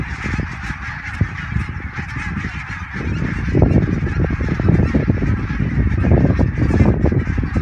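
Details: Greylag geese, thousands flying toward the Elbe over the dike near Wedel, Hamburg, 12 April 2020, phone recording: honking builds from moderate to a loud, crowded clamour of rapid overlapping calls, with strong low rumble.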